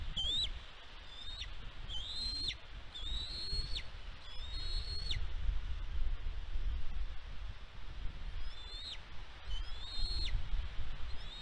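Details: Bald eagle on a Catalina Island nest in California, 16 May 2022. A steady series of high piping whistles rises and then falls off sharply, repeated roughly every second, with a short pause midway. Wind murmurs throughout.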